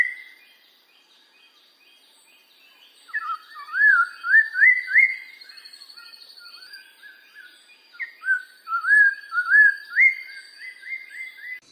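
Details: Black-throated laughingthrush giving two bursts of bright, upward-sliding whistled notes, each burst a quick warbling climb, separated by quieter softer notes and a pause; a thin steady high whine runs underneath.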